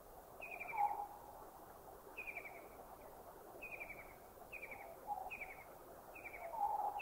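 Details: White-throated Kingfisher recorded in a Thai national park (Khao Yai, Doi Inthanon, Doi Suthep-Pui or Chae Son), giving short, high, descending rattled trills about every second, with faint lower whistled notes from another bird behind.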